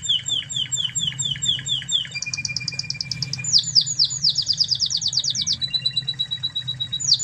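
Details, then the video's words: Song of a Spanish Timbrado canary from Spain, recorded as a tutor for other canaries: quick chains of high, clipped chirps give way to sharp descending strokes, then a thin sustained tone and a final burst, over faint background hum. "Masteran Kenari Spanish Timbrado Ori Spanyol"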